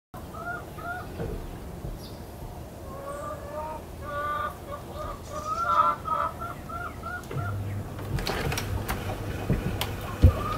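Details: Chickens, large and small, rushing out of their coop into a garden in the morning: a run of repeated clucking notes over steady background noise, followed by clatters and knocks.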